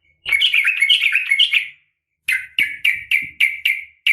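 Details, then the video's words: Female sooty-headed bulbul giving a fighting call to draw a male's response; a rolling burst of warbled notes, then a string of sharp downslurred chips about every quarter second. "trucukan gacor SUARA TARUNG TAJAM ampuh MENJADIKAN agar burung trucuk gacor NYAUT SEKETIKA"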